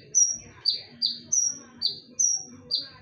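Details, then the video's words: Konin singing as a lure, sharp and ringing: six clear whistles alternating a long high note and a lower slurred one, about two per second, with soft low background noise. "KONIN GACOR FULL TEMBAKAN / SUARA TAJAM DAN NYARING / BERANI DENGARKAN SUARA PANCINGAN KONIN INI??"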